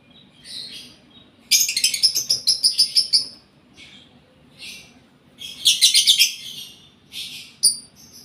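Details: Lovebird in breeding condition, caged, with quiet scattered chirps broken by two loud bursts of rapid, harsh, grating chirps, then a final sharp squeak.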